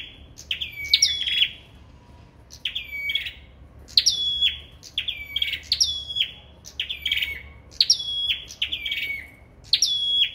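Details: Contest singing from a sâu đầu đỏ bird: rapid, high, glittering phrases, each a steep rising flick followed by a level then falling whistle. Closely spaced bursts keep coming with brief gaps, against near silence.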